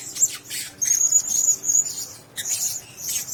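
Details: Blue-crowned hanging parrots housed in a single cage: a drawn-out, very high thin whistle with hissy squeaks before and after, then a brief pause and more shrill chirps.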